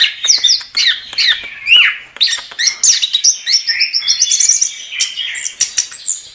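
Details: Chestnut-capped thrush, known locally as anis kembang, singing in gacor style: a rapid, varied run of whistled and chattering phrases, sweeping up and down, with brief pauses between bursts.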